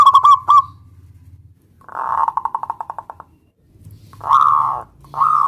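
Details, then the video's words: Local zebra dove singing to call out a rival: brief rolling coos, a fast fading trill of soft notes, then two drawn-out, hoarse cooing notes after a pause. "perkutut lokal gacor MEMANGGIL LAWAN ini ampuh MEMBUAT agar burung perkutut gacor NYAUT SEKETIKA"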